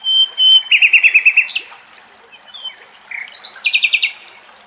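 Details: Nightingale singing in Greek nature: a pure sustained whistle, then a rapid series of about eight repeated clear notes, a pause, and further short whistles leading into another fast repeated trill, over soft background hiss.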